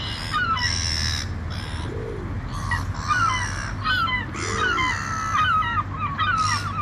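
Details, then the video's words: Several seagulls call loudly while flying, ringing nasal cries that rise and fall, some overlapping, over low rumbling ocean waves and bursts of hissing spray. "Seagulls | Seagull Sounds | Seagulls Flying | Seagull Sound Effects And Video"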